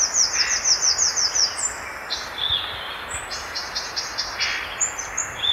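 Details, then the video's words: Violaceous euphonia (Euphonia violacea) song opens with a quick run of about ten thin, high chips, then shifts to varied high whistles and short buzzy notes. "O Canto do GATURAMO VERDADEIRO (Euphonia Violacea) Bird Song - Violaceous Euphonia"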